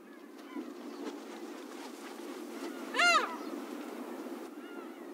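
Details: Slaty-backed gull, a rare winter visitor to Taiwan, recorded on the coast of Pingtung County on 1 February 2016: one loud, harsh, harmonic cry near the middle, with fainter bird calls and steady coastal background noise.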